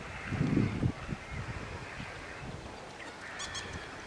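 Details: Magpie goose at Slimbridge giving a short burst of low, rough honks in the first second, then quieter scattered honking with faint higher bird calls in the background.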